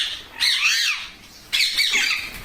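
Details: Several Indian pet parrots, said to include babies, perched and waiting to be fed rice and milk: two raspy, screeching squawks about a second apart, each wavering in pitch.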